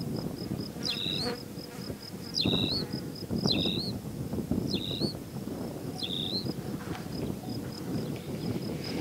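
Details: Tawny pipit calling at Serra do Suído, giving five sharp, high, slurred notes roughly every second and a half. Each note drops quickly and then flattens. A steady insect-like ticking and low rustling background noise run throughout.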